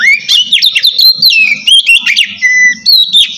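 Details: White-rumped shama giving relaxed open song meant to prompt lazy birds to sing: continuous rich whistled phrases sweeping up and down, quick varied notes, with a low murmur beneath.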